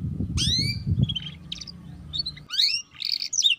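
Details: Young canary singing ngeriwik-style lure song for young birds learning to sing: a bold downward whistle, scattered soft chirps, then renewed slurred whistled phrases, over low background noise.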